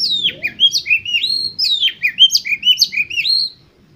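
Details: Lure song of an Oriental magpie-robin for competition birds: fast, clear whistled notes that swoop down and then rise. They repeat about twice a second in a lively, chattering stream before stopping.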